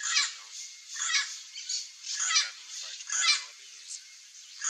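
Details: Chestnut-eared aracari pair visiting riparian gallery forest in central Brazil while searching for wild fruit; harsh, rasping squawky notes spaced roughly a second apart, with a steady high hiss behind them.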